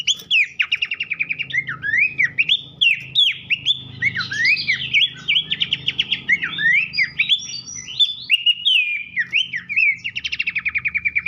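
Horsfield's babbler giving loud, clear whistled notes mixed with rapid chattering trills.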